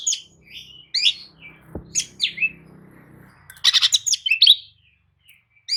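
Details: Oriental magpie-robin lure song for prompting a lethargic bird to reply: bright chirps and quick slurred notes over a steady low hum, then a dense loud chattering burst.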